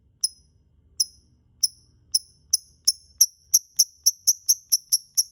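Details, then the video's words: Lovebird lure recording meant to make birds sing: short, high, clipped chirps repeated and speeding up, from widely spaced notes to a rapid, steady series of about four per second. "Pancingan Suara Burung Lovebird"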